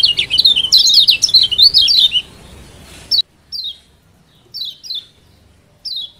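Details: Song of the Lombok yellow white-eye, used to coax a silent bird into singing: a rapid, dense high twitter for two seconds, then a hush broken by single descending chirps about once a second.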